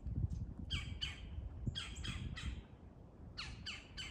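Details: Woodpeckers in a wild territorial fight give loud grating squawks in clustered bursts, two or three rapid harsh notes at a time with pauses between, against a low rumbling background.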